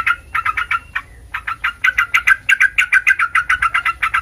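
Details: Yellow-vented bulbul recording used to provoke other bulbuls into calling back: rapid bubbly chattering notes, a brief pause near the first second, then an even run of loud repeated notes.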